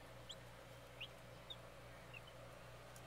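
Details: Baby chicks waking up in the morning in a garden in 2011, giving four short, high, down-slurred peeps spaced about half a second apart over a steady low hum.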